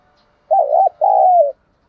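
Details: Decoy spotted dove cooing to draw in wild doves: one mellow, low, quavering coo, then a longer steady note that falls off at the end, clean with no other sounds.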